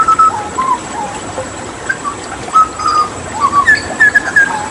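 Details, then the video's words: Hooded butcherbird from Papua during water therapy, giving softer, scattered fluted whistles at varied pitches, some short slurred notes, closing with a quicker cluster of higher whistles. "Masteran Tembakan JAGAL PAPUA gacor"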